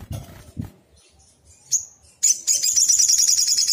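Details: Agitated sunbird (sogon), a lure to make other birds reply: a few soft thumps and a lone high note, then a shrill, fast, continuous trill of rapidly repeated notes.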